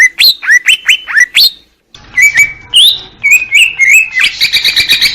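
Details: Greater green leafbird song opening with a series of sharp downswept whistles, then after a short pause a varied run of sliding, warbled whistles ending in a rapid chattering trill.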